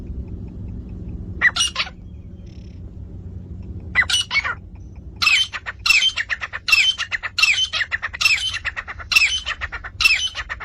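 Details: Partridge (titar) calls, Iranian and Dhakni male and female sounds for hunting; two short harsh bursts with pauses, then a steady run of loud grating, rattling notes repeated a little faster than once a second over a low hum.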